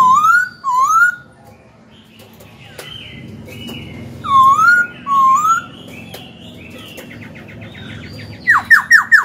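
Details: Black-throated laughingthrush, a young cage bird, singing to stir rival birds and coach young birds: clear whistled rising-and-falling phrases, a lull with softer warbling, then a burst of four rapid sharp notes.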